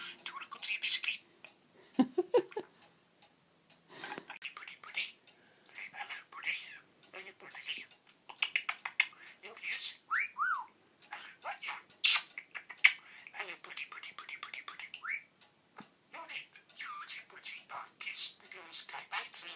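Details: A male pet budgerigar, held in the hand, chatters in rapid, high, whispery bursts imitating human speech, reportedly sounding like its owner's father.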